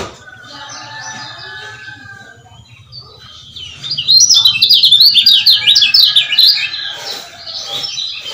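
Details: Lure call of a male lemon-bellied white-eye of Lombok, used to get quiet males singing again: soft twitters for four seconds, then a loud, rapid series of shrill, zigzag chirps lasting about three seconds.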